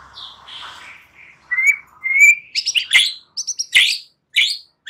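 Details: White-rumped shama song used to lure young wild-caught birds and those just past spotted juvenile plumage into full singing: soft warbles building into clear rising whistles and loud sharp varied notes.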